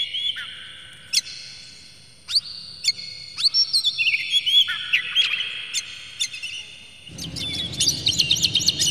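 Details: Excited Oriental magpie-robin opening its tail, singing to provoke others of its kind: sweet drawn-out whistles and sharp clipped notes, a varied, rambling phrase, then a rush of busy chirping over a sudden rise in background noise.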